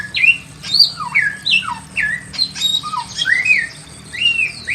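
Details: Pekin robin in a simple aviary cage, singing a varied run of clear whistled notes that slide up and down, with short rising and falling phrases following each other quickly and a faint low hum underneath.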